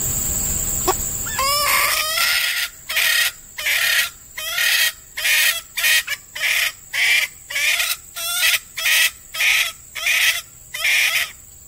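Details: A female red junglefowl, a decoy hen used to lure wild junglefowl in peat scrubland during the breeding season, gives a brief squeal, then a run of about fourteen harsh, clucking notes, roughly one every two-thirds of a second.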